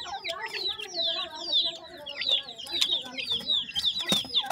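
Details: Grey francolin chicks feeding call in a continuous stream of bright, falling peeps, many birds overlapping, while people talk faintly nearby and a sharp tap sounds.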